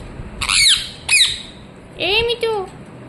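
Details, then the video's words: Pet ring-necked parakeet indoors, chirping. Two harsh, high screeching squawks in quick succession, followed by a lower, voice-like drawn-out note, in a small room. "Ringneck parrot Chirping sounds"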